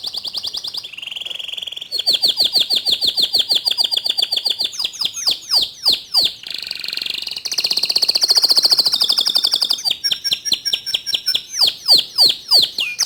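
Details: Local white canary in full song: a loud, varied run of high rolling trills, sweeping whistled notes and rapid buzzy chatter in changing phrases, with short gaps between sections.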